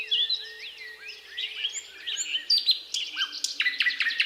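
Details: Eastern thrush nightingale recorded 8 May 2022 with a siren going: varied slurred whistles and upward-sweeping notes, ending in a series of sharp, repeated high chips, with a faint steady tone underneath.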